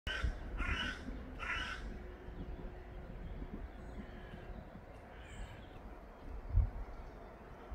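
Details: Common pheasant (Phasianus colchicus) in Ljubljana, 4 July 2024, gives three harsh, hoarse notes in quick succession in the first two seconds, then falls quiet over steady low rumble and wind.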